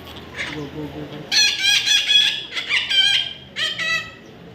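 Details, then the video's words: Baby parrot giving loud, raspy harmonic squawks in quick bursts that rise and fall, roughly one per second, with quiet room noise between calls. "natural funny parrot sound"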